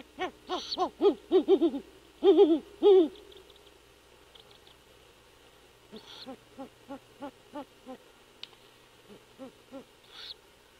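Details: Great horned owls at an old bald eagle nest 75 feet up a nearly dead pine on Skidaway Island, Georgia, while the second owlet hatches: the male calls, the female answers. Loud deep hoots for three seconds, then a softer rapid hooting series.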